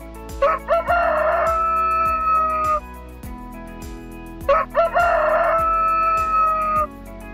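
A rooster crows twice, each a rising, stepped opening drawn into a long, harsh, sustained note.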